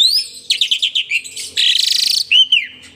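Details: Asian pied starling, a kept bird bobbing its head as it sings: a series of quick scratchy notes, then a fast rattling trill, ending in a slurred falling whistle.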